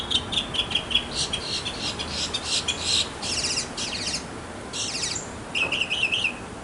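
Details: Mockingbird male singing in a backyard to get a mate: harsh, buzzy bursts of scratchy sound, separated by short pauses, ending in a quick, clear trilled phrase.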